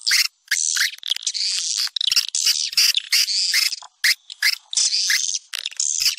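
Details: Swiftlet calling sound popular in Sumatra for drawing in swiftlets: loud, chattering, high buzzy twitters in long bursts broken by clean short silences.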